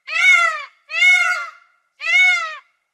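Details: Three bright, intense peafowl screams in quick succession, each about two-thirds of a second long, steady and brassy, with another starting right at the end. Nothing else is audible.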